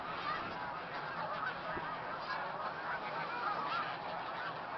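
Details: Flock of about 3,000 to 4,000 snow geese with several hundred Canada geese and mallards at a field along Route 34B, Tompkins County, New York, on 20 December 2009, birds leaving and arriving. A dense, continuous chorus of overlapping honks.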